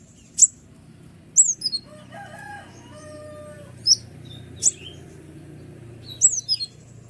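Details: Sunbird known locally as kolibri ninja, singing loudly to provoke other birds such as ciblek: spaced, sharp high chirps and descending whistles, with a few lower clear whistled notes in the middle and a low background murmur.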